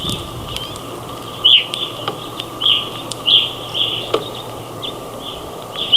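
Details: Grosbeaks feeding with other birds during a snowstorm in northern Ontario: short, high, clipped call notes repeated irregularly, several callers overlapping, with scattered sharp clicks and knocks at the feeder.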